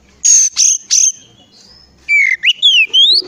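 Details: Oriental magpie-robin song used as a lure to prompt other magpie-robins to sing: three high, flat whistled notes, a short pause, then a run of sliding, rising and falling whistles.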